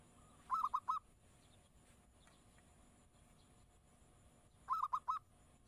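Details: Two distant, brief bursts of three to four quick coos from a zebra dove (perkutut), separated by about four seconds of steady background hiss.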